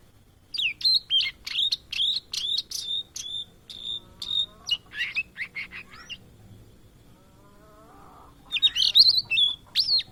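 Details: Blue-and-white flycatcher, a migrant often encountered in Indonesia, singing energetically: a quick run of about a dozen sharp, high, buzzy notes, each repeated, then a short pause and a dense burst of varied twittering.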